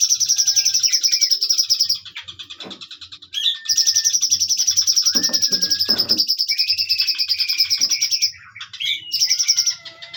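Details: Bulbul known locally as cucak cungkok, singing in long extended bursts: a loud, rapid, high buzzing trill held for about two seconds at a time, broken by short whistled notes and brief pauses, with faint low thumps beneath.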